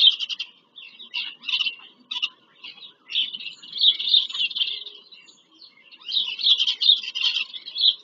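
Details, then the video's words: Bald eagles visiting their nest on Pennsylvania farmland, live nest camera, 5 February 2023. Separate high squeaky notes give way to long, fast, rattling chatter series, repeated twice with a pause between. "bieliki - wizyta w gnieździe"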